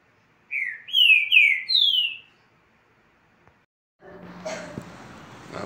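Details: Caged green-winged saltator singing four loud slurred whistles in a brief phrase, followed by rustling and handling noise with a man speaking.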